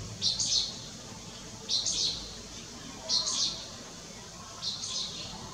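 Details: Striated swallow at Lugu, filmed 30 June 2022, giving four high, buzzy chirps spaced roughly one and a half seconds apart over faint background hiss.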